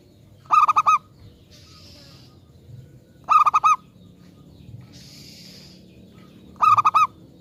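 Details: Luring song of a local zebra dove aimed at provoking replies: three bursts of four fast throbbing coos roughly every three seconds, with soft hissing noise between phrases.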